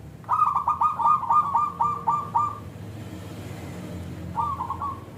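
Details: Local zebra dove with a thick, clear voice, singing to make others reply: a long rapid series of bubbly staccato coos lasting over two seconds, a pause, then one shorter phrase.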